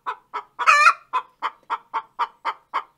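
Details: Hen giving her laying song: a steady run of short clucks about every quarter second, broken early by one louder, drawn-out, harsher squawk, then the even clucking resumes.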